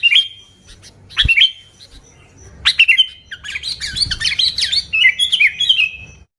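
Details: Sooty-headed bulbul singing to lure bulbuls, two short whistled phrases then a long busy stretch of warbled, rising and falling notes.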